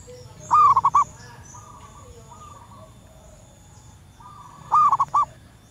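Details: Wild local female zebra dove calling males, a lure for wild birds: two bursts of rapid, staccato cooing notes about four seconds apart, with fainter answering coos from other doves between them.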